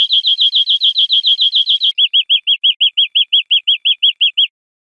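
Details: European greenfinch song from a teaching recording for cage birds: a fast run of bright, clipped chirps, then a slightly lower series of evenly spaced, rounded notes, about twenty-five in all. The background is clean and silent.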